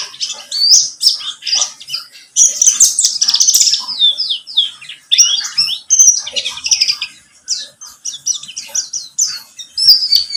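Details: Pleci buxtomi white-eye lure song meant to get birds singing: a long, lively, varied warble of high chirps, trills and downslurred whistles, run together in fast rambling phrases with only brief pauses.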